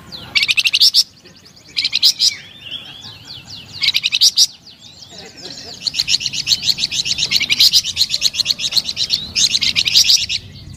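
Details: Flamboyan bird delivering melodious, lively song in short bursts of fast high chirps, then a longer continuous run of rapid notes.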